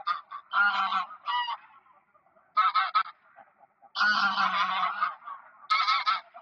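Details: A flock of greylag geese calling on park ponds at Park Poleski in early October 2024: loud, harsh, nasal honks in bursts about a second long, separated by quieter gaps.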